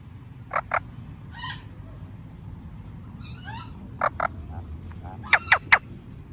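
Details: Indian ringneck parakeet giving short, sharp screechy notes in pairs, with two bursts of quick chattering, warbling notes between them, over low background hum.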